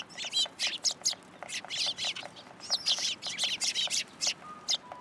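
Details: Several sparrows coming to a post to be fed at a Tenmangu shrine on 20 February 2023; dense, rapid overlapping chirps and tweets, many short bright notes several per second throughout, with faint distant background hum.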